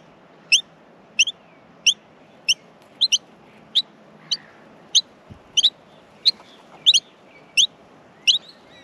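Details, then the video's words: Nestling Australian miners in the nest calling for food during feeding, giving short piercing chirps, sometimes doubled, at a quick uneven rhythm above a soft low rumble. "Australian Minor baby birds in the nest feeding"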